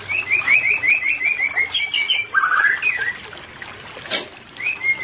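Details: White-rumped shama, used to bring a non-breeding pair into breeding condition, sings a fast series of repeated whistled notes, then a lower slurred phrase and rising whistles, with one sharp click near the end.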